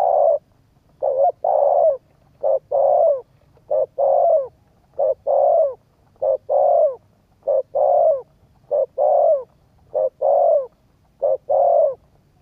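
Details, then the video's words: Spotted dove cooing to stir up and train a decoy bird: low, mellow paired coos, a short note then a longer drawn-out one, repeated steadily about every second across the whole stretch, with no other sounds. "cu gáy thúc gù kích bổi tập mồi hiệu quả"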